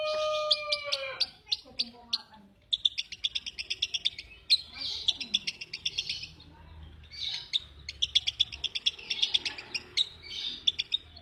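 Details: Lovebird giving rapid, dry chattering notes in quick bursts, bright and high, with short pauses between runs and a brief lower drawn-out whistle at the start.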